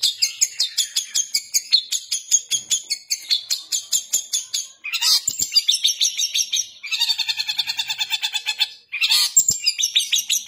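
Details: Long-tailed shrike singing vigorously in the gacor style with harsh 'nembak kasaran' bursts: rapid high repeated chirps about three per second, then dense buzzy, rasping phrases with brief pauses between bursts.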